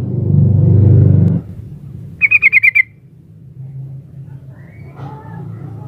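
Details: Sooty-headed bulbul female calling to the male: one short burst of about six quick, clipped chattering notes in the middle, preceded by loud low rumbling noise and followed by a quiet background hum.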